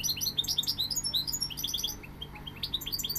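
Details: Goldfinch singing continuously, a busy, high-pitched twitter of short bright notes and little upslurs, crowded closely together, with a faint low hum in the background.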